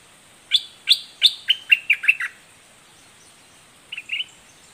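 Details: Red-whiskered bulbul performing southern 'dok taeng' doubled notes with a fierce tone. Seven or eight loud, evenly spaced sharp chirps descend slightly over under two seconds, then a quiet pause and two faint final notes.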